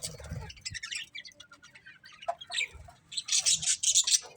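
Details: Budgies chirping, with scattered quick high ticks and chirps, then a dense run of loud, rapid, buzzy chatter in the final second.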